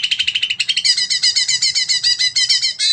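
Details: Greater green leafbird giving a long 'nembak' burst of song, meant to stimulate other birds to sing: a fast, even chatter of high repeated notes, a brief break, then denser buzzy trilling over a faint low hum.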